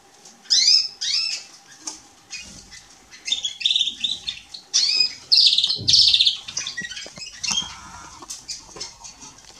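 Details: Male Atlantic canary singing on 27 October 2020, heard as scattered high chirps, slurred whistles and buzzy twitter bursts with gaps between, over a noisy background with some low rustling.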